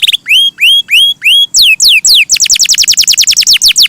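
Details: Canary song: a few slow rising whistles, then loud descending swoops, breaking into a rapid run of quick falling notes.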